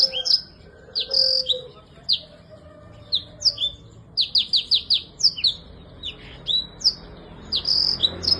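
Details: A black-throated canary sings a lively, high-pitched run of sweet chirps and quick trills, several notes per second, with brief pauses between phrases, over a faint low hum. The song is used as a tutor for birds that have stopped singing.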